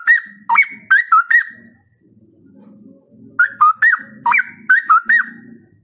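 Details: Straw-headed bulbul pouring out two bursts of rapid, ringing, liquid whistles separated by a brief lull, the notes bouncing up and down in pitch, with soft low chatter between the bursts.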